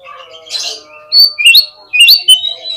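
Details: Oriental magpie-robin singing as a lure to prompt other birds to answer and open their tails: a harsh, raspy burst comes first, then loud slurred whistles rising sharply, and ends in a sustained high whistle.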